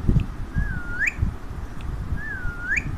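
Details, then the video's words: Pet Alexandrine parrot perched on its owner's hand indoors, giving two whistled notes that start level, dip slightly, then sweep sharply upward, about 1.7 seconds apart, with low room rumble beneath. "Beautiful Talking of Alexander Parrot"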